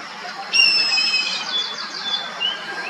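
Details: Indian Grey Hornbill giving a high, drawn-out squealing whistle with a thin overtone, followed by fainter wavering notes.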